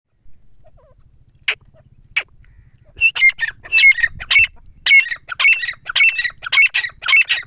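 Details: Grey francolin calling after a few faint notes at the start. From the third second comes a loud, harsh, ringing series, with bursts repeated about twice per second and a sharp whistled accent in each.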